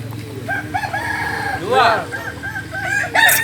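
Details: Kokok Balenggek rooster of Solok, West Sumatra, crowing in drawn-out, level tones broken into steps, then one louder rising-and-falling arched note, with further short syllables and a faint hum.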